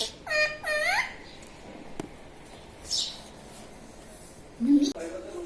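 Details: A pet rose-ringed parakeet talking indoors, with two quick, nasal, harmonic-rich syllables like a word said twice. Quiet room hiss follows, then a brief squeaky call near the end.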